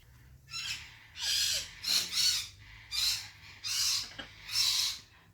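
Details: African grey parrot repeating loud, breathy hissing puffs, roughly one a second, some doubled, over quiet background.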